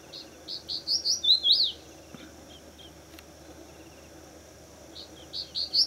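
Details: Male Crested Bunting singing in the breeding season, perched above a fort wall in Pune, India: a short phrase of high sweet notes ending in a loud rising-falling slur, repeated after a pause of about three seconds, over a faint steady insect hum.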